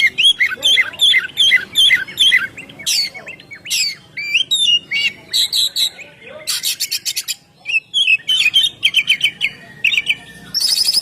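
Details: A loud ngeplong song of the oriental magpie-robin, played to lure birds. Rapid repeated chirps give way to varied whistles, buzzy rattles and twittering runs in a busy, nearly continuous stream.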